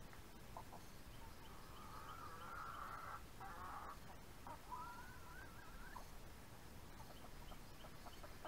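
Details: Backyard hens about four months old eating an early-morning rice treat. Drawn-out tonal calls: steady mid-pitched notes, then a rising, wavering call, with soft clicks over a low rumbling background.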